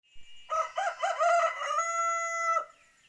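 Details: Male ayam kampung (native village chicken) rooster crowing: a burst of rough, choppy syllables rising into a long, steady, held tone that ends abruptly after about two seconds, with quiet surroundings and nothing else audible.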